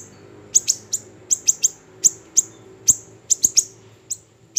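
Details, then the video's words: Small siri-siri bird used as a tutor recording for cage songbirds: sharp, high chirps with a downward flick, given singly or in quick pairs at uneven gaps of about half a second, over a faint low hum. "MASTERAN HANDAL burung siri siri kecil"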